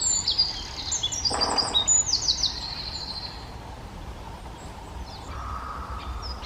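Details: Male Eurasian wren song from the Czech Republic: an explosive burst of very high, rapid notes and a buzzy trill lasting about three seconds, then quiet background with a faint low hum.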